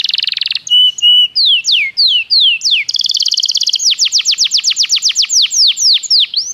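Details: Belgian canary training song: a warbled opening, a short low trill, slow falling whistles, then a buzzy high trill leading into a long rapid series of downslurred notes.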